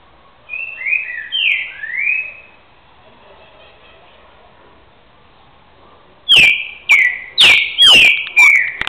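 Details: Trinca-ferro (green-winged saltator), a caged two-year-old boiadeiro singer from Rio de Janeiro state, begins with soft slurred whistles. After a quiet pause comes a quick run of five loud, sharp whistled phrases, each dropping in pitch.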